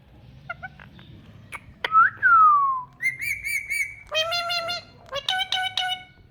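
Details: Pet ringneck parrot whistling: a loud clear note sliding down, then steady whistled tones and rich harmonic calls in short bursts, with faint music-like background hum.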